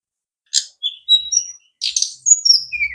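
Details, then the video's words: A brown-chested jungle flycatcher sings a quick jumble of high, thin whistles and buzzy chips, some notes sliding downward, in two short bursts. "sikatan rimba dada coklat"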